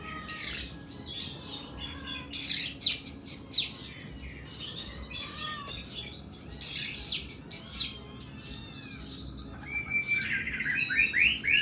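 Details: Long harsh 'nembak' song from an oriental magpie-robin of kacer kuku bima type: loud rasping phrases with high whistles, three main bursts, then a fast buzzy trill and rising whistled notes.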